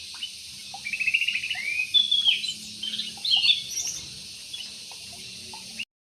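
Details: Yellow-vented bulbul in an aviary, with the birds being watched in hope they stay healthy and breed. Bright chirps and short warbled phrases come in bursts over about five seconds, with a faint steady high insect-like hiss behind them.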